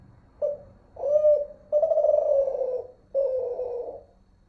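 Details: Derkuku, the spotted dove of Malaysia, in its Kelantan voice type: a short coo, a rolling rising-falling croo, a long descending wavering coo and a final drawn-out coo, loud and clear.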